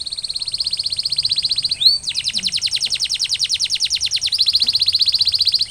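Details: Canary song of continuous fast rolling trills used for post-molt recovery, with one brief downslurred note about a third of the way through before the rapid rolls resume, bright and high.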